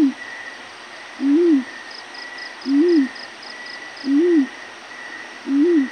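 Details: Yellow-breasted fruit dove calling in the morning: a low, soft, arched hoot repeated about every 1.4 seconds, five hoots in all, over a steady faint hiss with a brief high ticking series in the background.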